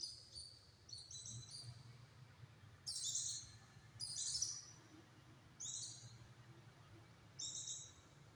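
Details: Pleci (white-eye) singing with dense, rapid phrases, kept as a tutor bird for training other birds; short high buzzy twittering bursts recur every one to two seconds over low background rumble.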